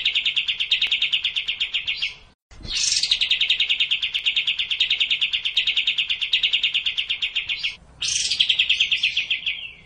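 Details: Sooty-headed bulbul singing racin style: near-continuous rapid rattling trills, each restarting after a short break with a harsh burst of notes.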